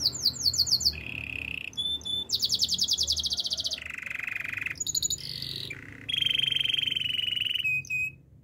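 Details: Canary song outdoors in the wild, built from short tours: quick falling chirps, a low buzzy roll, a bright high rattling trill, a deeper churring roll and a final clear whistle.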